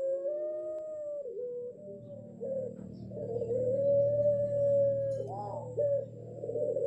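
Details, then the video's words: A six-month-old ring-necked dove (puter pelung) learning to coo in the dark: long, drawn-out, wavering coos sliding up and down like a wolf's howl, with a low hum underneath. "Burung Puter Pelung Suara Mirip Srigala Mengaung"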